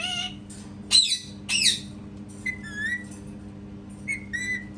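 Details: Parrot, a cat-sound mimic, mixes short harsh squawks with nasal, slightly wavering whistled mews that rise and fall, delivered in irregular bursts over a soft steady hum.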